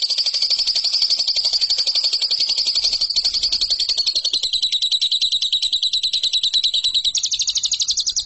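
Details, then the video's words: Lovebird in a training recording for champion competition birds, giving a sustained high, rapid trill whose pitch dips slightly midway and that becomes more clearly pulsed toward the end. "MASTERAN LOVEBIRD RAHASIA BURUNG JUARA"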